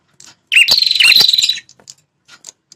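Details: Prenjak kepala merah prinia call, meant to make wild territorial males respond angrily; a single loud buzzy, rapidly pulsed chatter lasting about one second, trailed by scattered faint chips.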